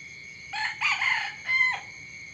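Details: A domestic rooster crows at dawn in several hoarse, broken syllables, the last drawn out and flat before cutting off, set against a constant high-pitched buzz of crickets.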